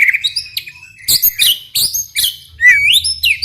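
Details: White-rumped shama singing to stir other shamas into song: rich whistled notes mixed with sharp high chips and a closing swooping rising whistle.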